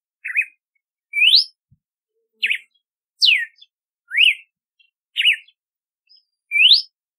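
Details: Red-cowled cardinal singing seven varied whistled phrases, zigzag notes, rising sweeps and a steep falling slur, each about a second apart, with a faint click in the background.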